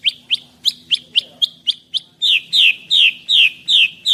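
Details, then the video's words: Caged white-rumped shama of the Medan type, an 11-month-old male 24 cm long, singing loudly: a fast series of sharp rising notes followed by longer, louder down-slurred whistles repeated about every third of a second. "Merdunya Suara Murai Batu Medan Super"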